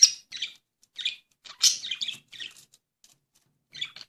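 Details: On a sunny day, pet budgerigars chatter in quick, scratchy chirps and warbles, with bursts spaced irregularly.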